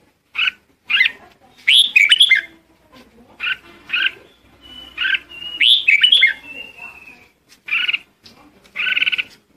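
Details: A red-whiskered bulbul calls the flock with bursts of lively, warbling notes. A long, slightly falling whistle runs through the middle, and pauses of about a second fall between phrases.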